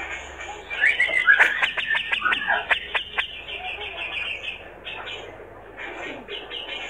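A male Grey-cheeked Bulbul chatters in a rapid, harsh, mid-pitched burst of clicks and rattles, easing into softer scratchy notes.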